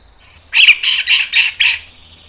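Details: Grey-cheeked bulbul (cucak jenggot) lure song, mbeset ngepik delivery: five harsh, buzzy, grating bursts in a quick steady series over about a second, over a faint high whistle.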